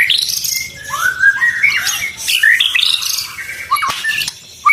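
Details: White-rumped shama that has moulted twice and is said to be ready for launch. It sings a rich, fast run of varied whistled phrases, with slurred rising and falling notes and sharp chips, and goes briefly quiet near the end.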